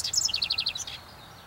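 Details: North American house wren delivering a quick bubbling phrase: a few squeaky high notes, then a rapid trill of about eight evenly spaced, clipped notes that fades out within a second.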